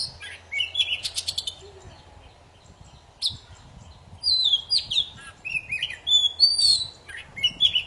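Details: Song of a poci bird, played to get quiet birds singing: bursts of sharp chips and rapid trills, then a pause before a run of bright, swooping whistled phrases near the end.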